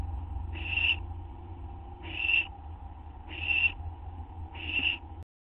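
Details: Owls at a nest on 6 September 2011 around midnight while food is delivered; four short, rough hissing screeches at irregular spacing against a continuous low hum.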